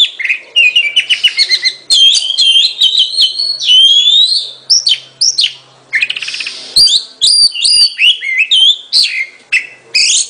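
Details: Lively Oriental magpie-robin song with dense, rapid chirps and looping whistled slurs, a brief dry rattle in the middle, then more energetic varied phrases.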